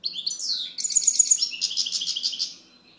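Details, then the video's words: Song of a European goldfinch: sweeping high notes opening into a sharp repeated trill and a rapid chattering run of bright notes. "Chant Chardonneret"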